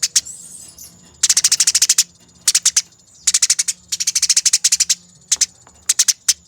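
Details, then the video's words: Eurasian tree sparrows fighting, in a master track meant for training birds: long, tightly packed volleys of shrill chirps, each burst about a second, broken by brief gaps and a few isolated notes, over a faint continuous high-pitched hum. "Masteran Burung Gereja Tarung Ngerol Abis, Nyerecet Speed Rapat dan Jernih"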